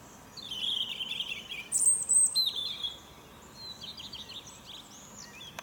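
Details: European robin on a fir tree in the morning, trilling: a rich warbled phrase, then very high thin notes and sliding whistles, ending in soft twittering.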